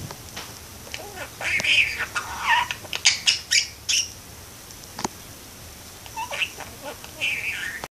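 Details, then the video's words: Pet parakeet by a window, talking: scratchy squawks and warbled chatter in uneven bursts, with a few sharp clicks and quieter murmuring notes toward the end. "Cute parakeet talks and sings"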